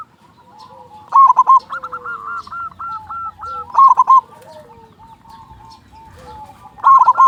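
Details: Persistent local zebra dove singer with a strong voice, used to excite silent zebra doves into singing. Three loud, clipped, bubbling coo phrases come roughly every three seconds. Softer repeated hooked notes and faint low notes run between them.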